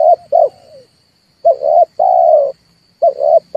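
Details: Red turtle dove lure call for trapping: hoarse low coos in a short-short-long pattern, heard twice with the start of a third, backed by a faint buzz and a constant high electronic tone.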